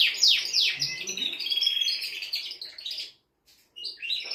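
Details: A male canary sings to excite a female for mating and train young birds. Downslurred whistles lead into a continuous rapid chattering trill, a half-second silence, then chirps resume.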